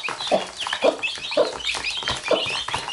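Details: Hen with chicks, four low clucks spaced about half a second apart with thin high peeps from the chicks in between.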